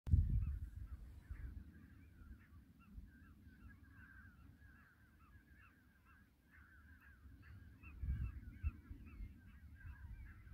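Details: Several European golden plovers (Pluvialis apricaria) on Hiiumaa, Estonia, give many overlapping short, plaintive whistled flight calls, repeated steadily over a low rumble of wind.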